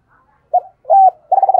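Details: Decoy spotted dove, captive, giving a lure call: two mellow coos, the second longer and level, leading into the start of a pulsing rolling coo.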